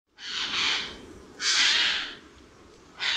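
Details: Eurasian jay giving two long, hoarse, rasping screeches about a second apart, with the start of a third at the end, over a quiet background.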